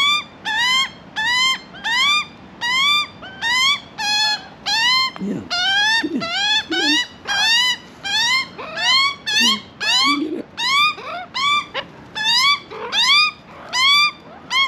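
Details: Begging juvenile Australian magpie, Australia, asking for food while being hand-fed: around twenty rasping, upslurred squawks in a persistent, fairly even rhythm, with occasional low human voice in the background.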